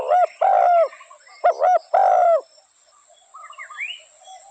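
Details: Spotted dove calling with a few low, hollow coos in quick succession, then a pause with faint, higher chirping from another bird.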